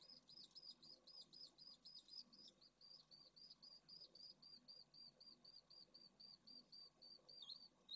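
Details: Pallid swifts nesting in Jerez de la Frontera, Spain, with eggs in one nest and chicks showing emerging flight feathers in others; a long run of quick, high, clipped chirps, evenly spaced at roughly four each second, with soft background rumble.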